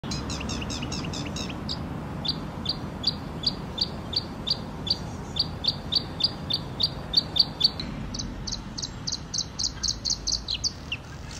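A Red-spotted Bluethroat sings a fast chattering run, then a long series of sharp, ringing high notes repeated about twice a second. A low rumble of background noise runs underneath.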